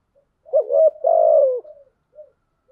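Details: Spotted dove kept as a lure bird, cooing to stimulate other doves to coo: one low, hollow phrase with a short double note followed by a longer sustained coo that slides slightly down, then faint trailing notes, against a silent background.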